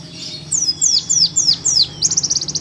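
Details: Pleci paud, the Oriental white-eye, at home delivering nembak song for training birds: five loud downslurred whistles about a quarter second apart, then a rapid high stuttering trill.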